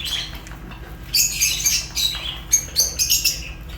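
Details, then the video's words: Fischer's lovebirds giving bursts of high, thin chirps and squeaky notes in quick clusters, quieter at first and then loud and rapid from about one second on, with a low background hum. "African lovebirds chirps sounds | تغاريد فيشر"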